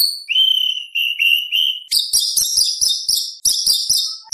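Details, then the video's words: White-rumped shama (murai batu), a lively singer used as contest material and as a tutor for other birds, in a full repertoire with rapid 'tembakan' bursts. Three drawn-out whistled notes at a steady pitch give way to fast, harsh, buzzy chattering bursts, repeated. "Murai Batu Gacor Full Isian ~ Full Tembakan Materi Lomba"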